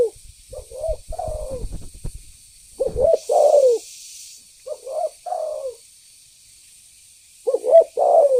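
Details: Spotted dove lure call meant to provoke birds; grouped two-part coos, a short rising note followed by a longer falling coo, repeated in bursts with a faint hiss in the background.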